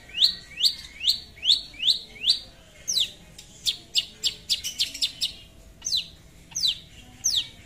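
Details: Long-tailed shrike in full gacor song calling a rival: a run of six rising swept notes, then a rapid burst of dense sharp clicks and chips, ending with slower falling whistled sweeps.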